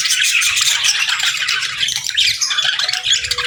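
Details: Budgerigars in pairs chatter continuously, dense scratchy warbling mixed with quick chirps and trills, ending with a faint steady tone.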